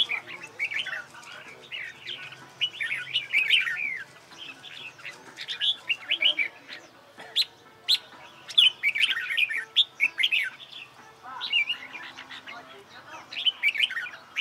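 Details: Caged red-whiskered bulbul singing during training for a singing competition: bursts of bright warbled, chirpy phrases with quick rising and falling notes, coming in clusters separated by short pauses across the recording.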